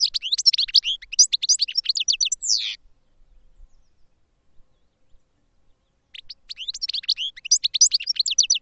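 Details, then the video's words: Caged European goldfinch kept for song training, singing rapid bursts of high twittering, tinkling notes and short trills for nearly three seconds, then silence, then a second twittering phrase from about six seconds. "Goldfinches Singing in CAGES for TRAINING"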